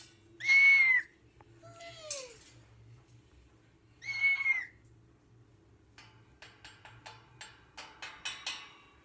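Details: Cockatoo called a little girl, with two loud, harsh screeching calls about four seconds apart, a brief descending whistle between them, and softer clicking and tapping afterwards over a quiet indoor hum.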